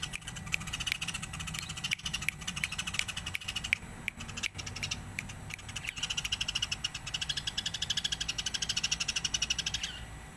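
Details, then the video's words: House sparrows chirp in a dense, busy chatter of short, bright notes, quickening into fast runs of rapid chips toward the end. "Suara masteran burung greja gacor"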